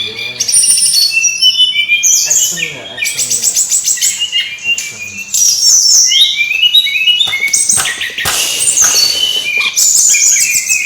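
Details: Brown-chested jungle flycatcher, a lure recording for getting birds to sing: continuous busy high-pitched warbling with rapid trills, stacked whistles and chattering phrases, loud throughout with brief rhythmic pulses.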